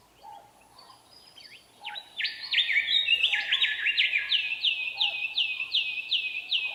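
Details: Willie wagtail male singing in the Australian outback to attract a mate and establish territory, belting it out nonstop: a loud, rapid string of sharp whistled notes, each swooping up and down, repeated almost three times a second, with faint lower chirps behind.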